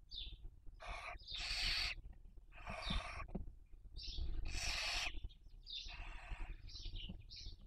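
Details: Nesting barn owls raising young, filmed by webcam in Cabañeros National Park, Spain, breeding season 2023: rasping hissed screeches lasting up to a second, alternating with brief, higher, chirping notes between bursts.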